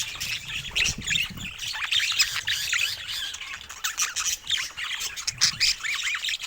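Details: Pet budgerigars chattering as a group: dense overlapping warbles, squawks and rapid chirps, mostly high-pitched, continuous with no pauses, many birds calling at once.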